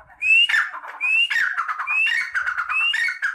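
A partridge gives loud, ringing calls: a rising whistle followed by harsher, tumbling notes, repeated about every second in a quick series.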